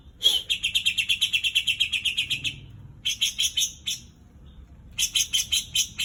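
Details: Greater green leafbird copying white-eye song, delivered in three bursts of quick, ringing high chips, about three notes a second, separated by short silences, with a faint low hum underneath.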